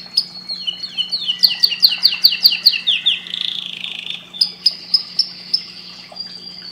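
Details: Canary breeding-stimulation song: a series of about ten sharp, down-slurred notes in quick succession, a short buzzy warble, then spaced high whistled notes, over a soft steady hum.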